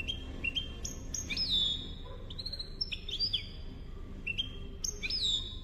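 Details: European goldfinch song in the Málaga copia style, a tape for teaching young goldfinches and hybrids; clear whistled notes and short rising slurs in repeated phrases, with steady low hum beneath.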